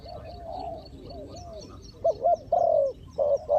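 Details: Spotted dove cooing while a decoy lures wild doves during trapping. Faint distant coos are followed by nearer, louder rounded croos in the last half.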